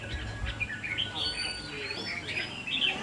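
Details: Contest red-whiskered bulbul, caged and pitted against a rival, pours out quick bubbling warbles and upslurred whistles, with faint voices and hum behind.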